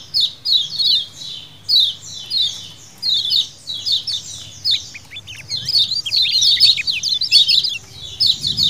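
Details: Lemon-bellied white-eyes calling as a colony, wild-style lure: high, falling chirp bursts at first, then a busier, excited chatter of many overlapping twitters and sharp notes toward the end.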